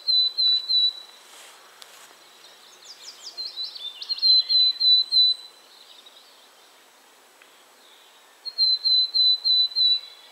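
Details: Willow tit singing: bouts of clear, pure whistled notes on one steady pitch, each note slightly falling, repeated quickly in runs of several, with pauses between bouts and a short, busier jumble of notes midway.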